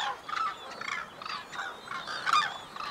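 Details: Mated white-naped cranes performing a courtship unison call, the female's rapid high short notes answered by the male's longer, lower pulsed sounds; rhythmic honking bursts roughly twice a second, rising to a louder cluster near the end.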